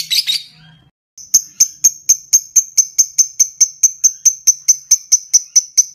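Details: Lovebird in ngetik style: a short burst of harsh chatter, a pause, then a steady series of sharp, high, clicking ticks repeated about two to three times a second.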